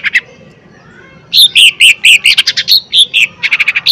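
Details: Lesser green leafbird singing hard in a loud lure recording meant to provoke other birds into singing: sharp, high, clipped notes, some with downslurred whistles, rapidly repeated after a quiet opening, against faint low hum.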